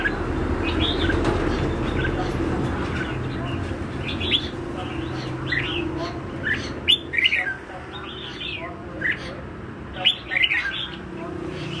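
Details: Red-whiskered bulbul singing in the lân hầu bò style: short, scattered whistled phrases with quick up-and-down slurs, separated by pauses, over a steady low hum and background murmur.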